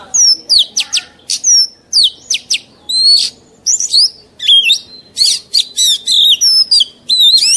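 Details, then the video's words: Oriental magpie-robin song from an old wild bird, meant for tutoring young birds: a rapid, continuous run of varied whistles, sharp upslurs and downslurs and brief chattery notes, with almost no gaps. "Tiếng Chòe Than Già Rừng CHUẨN HAY DÙNG ép luyện giọng Chim Non"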